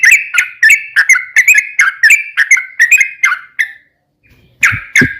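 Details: Sooty-headed bulbul provoking song: a fast run of bubbling whistled notes for nearly four seconds, then a short silence and a louder burst of two notes.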